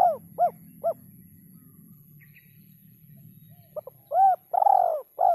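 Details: Spotted dove giving a run of short rounded notes, then a pause, then more short notes and a long falling coo, with a low background hum.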